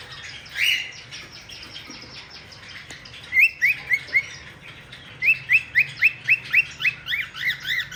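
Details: A caged Cockatiel, playing inside an aviary, gives a run of bright, quick whistled notes, each rising then falling.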